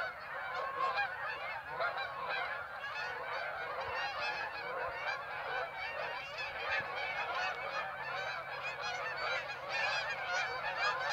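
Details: A large flock of Canada geese at Birds Hill on 26 September honks continuously, many overlapping nasal honks forming a dense, unbroken chorus with a faint low hum underneath.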